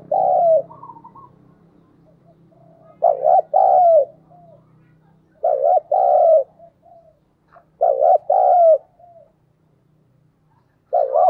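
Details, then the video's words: Spotted dove decoy cooing to entice wild doves; loud paired coos, short then longer and falling, repeated about four times at intervals of two seconds or more, with faint murmurs between. "Chim cu gáy mồi chuẩn thúc & gáy gọi kích bổi nhanh nổi hiệu quả"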